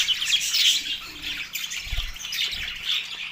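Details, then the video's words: Mating-excited budgerigars in Larkana, Sindh, March 9, 2024: rapid, irregular high chirps and scratchy warbles, roughly three per second, over faint low thuds. "budgie going#matting crazy"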